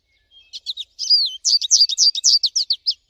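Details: American goldfinch singing in nature, a continuous high warbling run: a few soft introductory notes, a long slurred whistle, then a fast string of sweet twittered notes.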